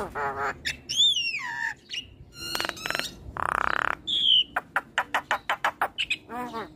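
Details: Nodding black-winged starling pours out mixed song: descending slurred whistles, crackling bursts, a long harsh rasp, then a fast series of sharp clicking notes.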